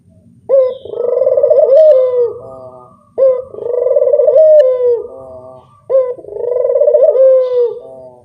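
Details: Barbary dove giving a lure call used to prompt other doves: three long, rolling coos, each starting with a sharp rise and then held steady for about two seconds, repeated roughly every two and a half seconds, with faint indoor background.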